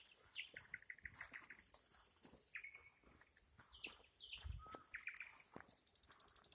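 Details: Nightingale song mixing chirps, a buzzy trill, drawn-out whistles and sharp clicks, with a low thump and steady background hiss behind the bird.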